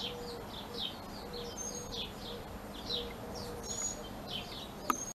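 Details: Mockingbird fledgling begging while being fed: a run of rapid, high, scratchy chirps, some sharper single whistles, and a brief click near the end over soft background noise.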